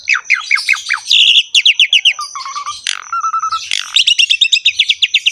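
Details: Asian pied starling (jalak suren) in lively gacor ngerek singing: a fast series of rising whistled notes, then buzzy bursts, flat clear whistles and rapid repeated chattering notes, dense and high-pitched with no other sounds.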